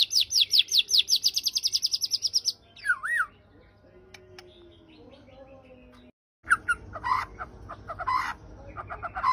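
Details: White-rumped shama (murai batu) with a coarse 'isian kasar' fill-in: a rapid train of high, down-slurred chips, then a looping whistle, quieter scattered notes and a low hum, ending in sparse loud chirps.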